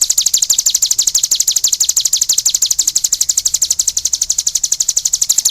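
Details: Energetic cigun song: a continuous, evenly paced stream of very high, sharp chirps, about three each second, with no pause throughout.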